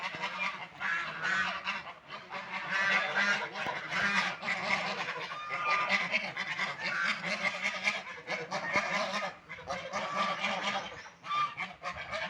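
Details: Ducks eating food and drinking water give a dense, continuous chorus of harsh, nasal honking calls from many birds at once, overlapping with no clear pauses.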